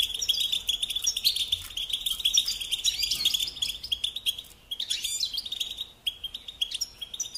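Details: European goldfinch song for training young birds: a continuous, rapid chatter of high, bright twitters and jingling trills, with a short dip in the middle and louder rising notes afterward.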